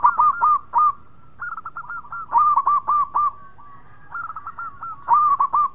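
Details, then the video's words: Local perkutut zebra dove singing actively, giving bursts of short, hooked cooing notes near one pitch, three to five per phrase, with pauses of about half a second between phrases. "Perkutut Lokal Gacor Suara Mewah"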